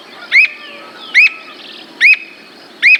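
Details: Squirrel cuckoo in Brazil giving four sharp, clipped notes, each quickly rising then dropping, spaced just under a second apart, over a faint steady background hiss.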